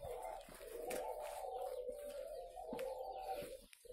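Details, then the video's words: Many captive spotted doves at a dove-breeding farm in Vân Hòa, Ba Vì, Vietnam, cooing together indoors in a dense, continuous, overlapping low hum of coos, with faint clicks and knocks throughout. "chim cu gáy hay"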